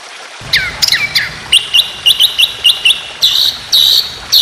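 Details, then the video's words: White-rumped shama contest-training song with long, rapid 'tembakan' bursts: sweeping whistled notes, then a string of short, sharp high notes roughly every quarter second, ending in buzzy trills. "Lawan Auto Keok Sekali Denger Tembakan Ini || Masteran Burung Lomba Tembakan Panjang Roll Speed"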